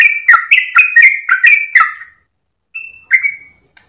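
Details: Yellow-vented bulbul (trucukan) singing a long rapid 'ropel' song with tail-wagging at dawn: a quick run of clear whistled notes around mid pitch, stepping up and down, then a pause and two short whistles.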